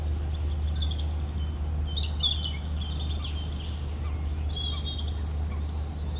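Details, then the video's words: Song of a European robin: high, thin, quick phrases with sudden pitch jumps, a pause, then a fresh burst of sharp notes near the end, all over a persistent low hum. "Rotkehlchen singt - Gesang Robin singing"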